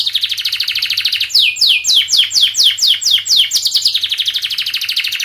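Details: Fast, tightly packed canary song intended to help young canaries learn: a high rolling trill gives way to a series of swooping downslurred whistles, then returns to the rapid trill.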